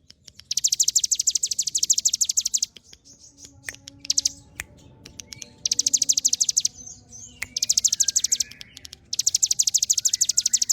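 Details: Hill prinia, known locally as ciblek gunung, singing nonstop in a rapid run of sharp, high, evenly spaced chip notes, about three per second. Bursts last about two seconds and are split by short pauses with faint softer chirps between them.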